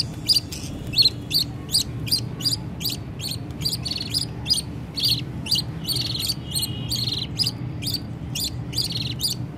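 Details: Young budgies call their parents to be fed while the mother feeds them: a long run of evenly spaced, scratchy high chirps, about two per second, steady throughout, with faint low humming behind.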